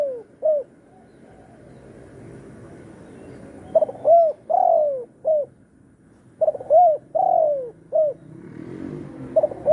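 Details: Spotted dove calling as a trapping lure, in the satu kuk or dua gayau style: soft, mellow coo phrases, each a short note followed by longer down-curving coos, in three bursts with quiet gaps between.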